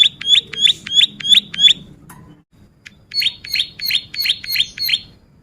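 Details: Bar-winged prinia singing in energetic 'gacor' style, for use as a song tutor and lure: two runs of rapid, sharp, high chirps, about three each second, six or seven notes per run, separated by a short pause.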